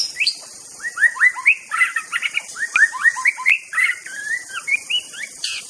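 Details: White-rumped shama from Aceh singing fast, varied phrases of short upslurred whistles and chirps packed in lively bursts, with a constant high background hiss.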